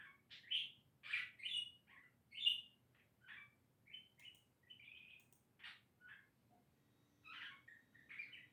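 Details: A pet budgerigar, which makes happy noises and talks for hours on end, chatters in a rapid, varied stream of high chirps, squeaks and warbled notes.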